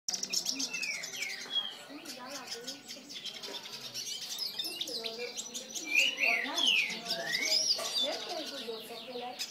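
A fast, rambling twitter of high chirps, slurred whistles and buzzy trills from a hooded siskin, running almost without pause, over a faint low background murmur.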